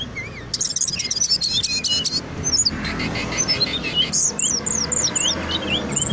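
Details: Brown-chested jungle flycatcher singing loudly and densely: a long shimmering high buzzy trill opens, then a jumble of twisting whistles and rapid chips, with a low background murmur throughout.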